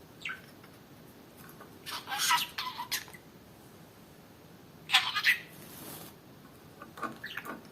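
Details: A pet budgerigar playing on his swing gives short, scratchy chirps and squawky bursts in a few scattered clusters.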